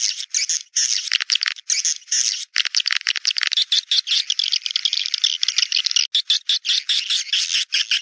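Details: Naga Merah swiftlet lure call, used to draw swiftlets in to nest sites: rapid, harsh chattering twitters and clicks packed into continuous bursts with brief pauses between them.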